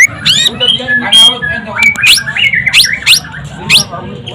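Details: White-rumped shama, a frequent champion, giving a quick series of steep upswept whistles and short slurred notes, fairly regular, over a low rumble of voices.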